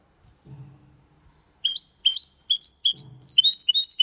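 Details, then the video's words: Hybrid goldfinch × canary in elegant Malaga-style song: four evenly spaced rising whistles, each roughly every four tenths of a second, leading into a rapid high twitter; soft low knocking sounds in the background. "Mixto de Jilguero Cantando Limpio (Video HD)Mulet de Chardonneret X canari /hybrid goldfinch singing"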